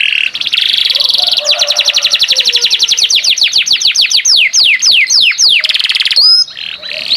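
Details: Singing canary in gacor form, loud and continuous: a dense buzzing trill gives way to a long run of sharp descending whistles, ending with a brief high note.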